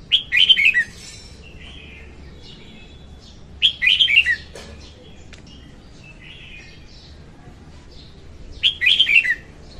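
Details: Singing female red-whiskered bulbul, a recording meant for bird trapping: rich warbled phrases of rapid descending notes about every four seconds, with softer distant chirps and short whistles in between.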